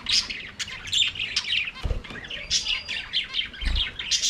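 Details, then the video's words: A flock of budgies singing and playing in their aviary: dense, busy high twittering and scratchy warbles run without pause, broken by two low thumps. "Budgies singing and playing in their Aviary"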